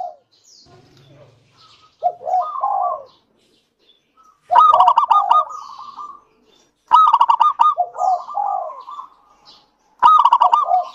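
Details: Zebra dove of local stock, recorded singing as a lure for other doves: after quiet moments, four phrases of mellow coos, most capped with a loud, rapid, rolling burst of notes.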